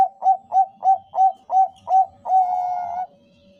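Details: Zebra dove of the Bangkok type singing as a lure to set other doves calling: six evenly spaced short coos, each a quick rounded note, then a long level sustained coo before falling silent.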